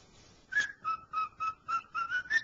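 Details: Pet cockatiel, a male, whistling the tune "Dixie" indoors, still needing practice: seven clear whistled notes near the same pitch, each about a quarter second, evenly spaced after a quiet start.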